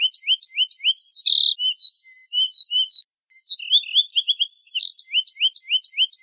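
A finch sings a quick, high run of rising chirps mixed with buzzy trilled notes, breaking off briefly midway before the bright chirping resumes.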